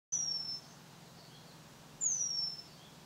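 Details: Eurasian penduline tit during nest building at Tidö-Lindö, Västerås, Sweden, in 2010: two thin, high, drawn-out descending whistles about two seconds apart, over a faint low hum.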